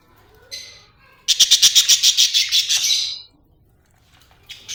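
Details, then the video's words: Budgie, described as happy, lets out a fast rattling series of about a dozen sharp high chirps in quick even pulses, then falls silent before a last short note. "happy budgie chirping sound"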